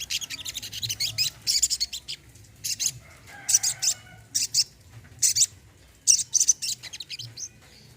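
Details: Short loud bursts of high, scratchy twittering and sharp chirps from a brown-throated sunbird, separated by pauses of about a second, recorded as therapy to encourage quiet birds to sing.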